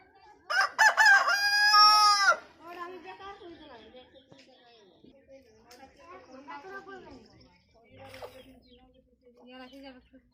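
An Aseel rooster gives one loud, harmonic-rich crow lasting about two seconds, followed by softer clucking and murmuring calls from other fowl.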